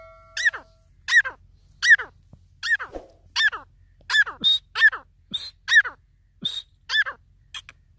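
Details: Grey francolin giving a series of sharp, squeaky, nasal notes repeated a little faster than once a second, with a few higher whistled notes mixed in and a faint low hum beneath.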